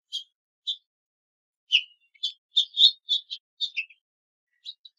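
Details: House finch calls: short sharp cheeping notes, high and slightly buzzy, given singly and in quick irregular runs with brief silent gaps, in a clean recording with no other sounds.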